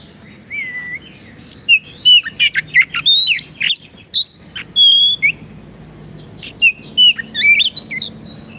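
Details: Oriental magpie-robin in lively 'gacor' song, meant to train caged kacer: a low slurred note, then a dense burst of clicks, squeaks and rising whistles, a long sustained whistle, and another chattering phrase.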